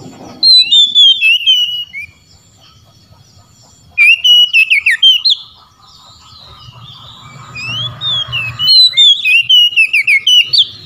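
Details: Oriental magpie-robin singing to challenge rivals, with other magpie-robins answering: rich whistled phrases with rising and falling slurs, loud bursts at the start, middle and end separated by quieter faint singing and a low hum.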